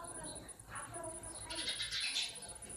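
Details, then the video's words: Sparrows chirping: a soft note at first, then a dense cluster of bright, rasping chirps packed tightly together, over a steady high hum. "Natural sound of Sparrows."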